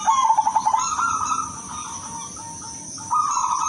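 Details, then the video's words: Silver zebra dove with a melodious voice, singing: a quick run of pulsed, throaty coo notes slides into a held, slightly higher hum, then a pause and another sustained coo; a steady high electrical-like whine runs behind. "PERKUTUT SILVER SUARA MERDU"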